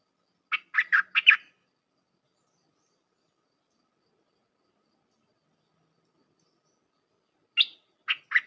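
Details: Red-whiskered bulbul in Dok Taeng song style, meant to teach young hand-raised and wild-caught birds; one rapid four-note chirped burst, a long silence of about six seconds, then another burst begins.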